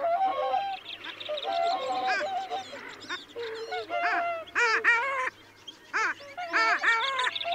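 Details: Long-tailed ducks wintering at Liepāja, Latvia, in January 2024: a lively chorus of nasal, yodelling calls with bending, stacked tones, several birds overlapping in quick bursts, briefly pausing near five seconds, steady low hum beneath.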